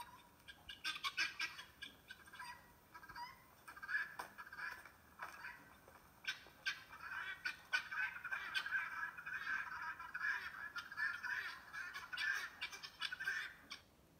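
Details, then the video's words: Guineafowl give rasping calls in irregular bursts, becoming denser and more continuous midway, heard at moderate distance with some clicks and background noise. "Guinea fowls"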